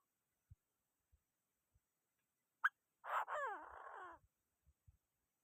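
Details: Provoking call of a Chinese francolin: soft low taps, one sharp click, then a coarse rasping phrase of about a second with falling harmonic sweeps, followed by scattered faint thuds.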